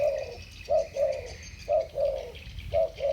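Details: Spotted doves, two 'thổ bầu'-voiced birds competing in song, repeat a deep soft short-long coo three times in quick succession, with faint higher bird calls underneath.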